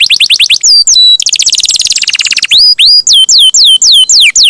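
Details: Canary in strong voice, played as a lure so other canaries start singing: quick trill notes, a lower dense rolling trill, then clear sweeping whistles roughly three per second.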